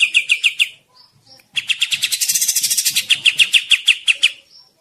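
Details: Sikatan, a flycatcher, in unusual chattering song: a quick string of sharp, high repeated notes, a short pause with faint chips, then a long fast series of ringing repeated notes that slows slightly before stopping.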